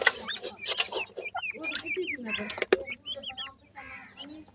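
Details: Grey francolin chicks peeping: a run of brief arched and hooked whistled notes, several in quick succession mid-clip. Soft scratching and clicking noises sound in the background.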